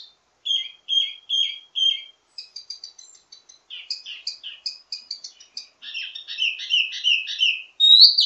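A wambi sings a lively, varied song: three repeated slurred whistles, then quick chattering trills and bright warbled phrases that rise to a sharp final note.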